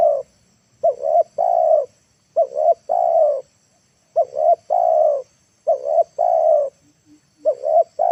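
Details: Spotted dove used as a decoy in the late afternoon to draw wild birds down to the ground, giving low hollow coos in phrases of a short stuttered note and a longer drawn coo, repeated at irregular intervals.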